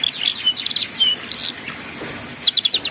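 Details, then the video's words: Canary singing for young birds learning the ngeriwik style: bright whistled notes and short trills, ending in a fast series of sharp repeated chips over background hiss. "MASTERAN BURUNG KENARI PAUD BELAJAR BUNYI NGERIWIK"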